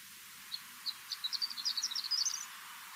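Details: Horned lark, Newfoundland, a bird of barrens, tundra and treeless grassy coastal areas, singing a high, tinkling run of thin notes like a small bell that starts sparse, then speeds up and rises slightly into a jingling flourish.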